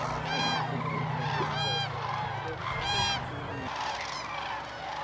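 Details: Common cranes at their courtship dance at Hornborgasjön, Västergötland, April 2009, filmed on a Canon XL2: loud trumpeting calls with rich harmonics ring out at about half a second, 1.7 and 3 seconds over a low steady hum and a background chorus.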